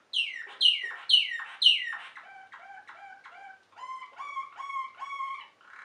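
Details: Malinois or Waterslager canary, bred in Belgium for its water-like song: four loud descending whistled swoops, a burst of clipped notes, then a chiming two-toned phrase repeated several times.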